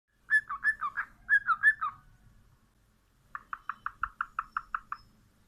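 A cockatiel gives a quick run of warbling chirps, then a steady series of short whistled notes.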